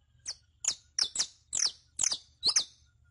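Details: Captive saffron finch, known locally as canario criollo, used as a song tutor for training other birds: six sharp descending chirps, each a high note sweeping downward, spaced about every half second over a faint low hum.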